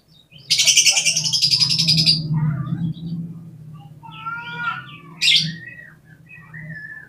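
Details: Kacer, or oriental magpie-robin, used as a lure to provoke contest birds: a long harsh buzzy burst, then fainter whistled notes with overtones, one sharp squeak, and a steady low hum underneath.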